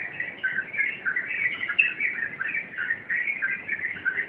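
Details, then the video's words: Sooty-headed bulbul delivering rompelan song, a continuous, busy run of jumbled chirps and short warbled phrases at steady mid pitch, without any break. "Suara Rompelan Burung Trucuk"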